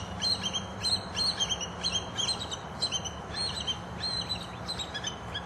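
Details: Bald eagle pair at their nest in the Florida Everglades, filmed from the nest and a nearby mating tree; a run of high, sharp piping notes repeated in rapid uneven bursts of three or four, steady low rumble underneath.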